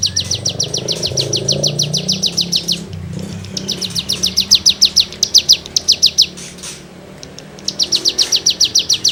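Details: Cigun in 'gacor' full rasping song, used as tutoring material for songbirds. Rapid strings of buzzy, falling high notes come in bursts of several seconds with brief gaps, over a low rumbling background.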